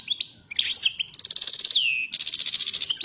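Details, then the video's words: Singing European goldfinch described as 'pyromeni' (fired up): sharp chirps lead into a fast rattling trill, a downward-sliding whistle, then a second quick buzzy trill, all high and bright. "Καρδερίνα πυρωμένη!!"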